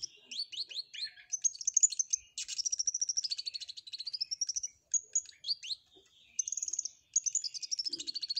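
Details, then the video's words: A flowerpecker sings canary-style phrases: high, rapid twitters, sliding whistles that rise and fall, and buzzy trills, with brief pauses between bursts. "Burung Cabe Cabean Gacor isian Kenari"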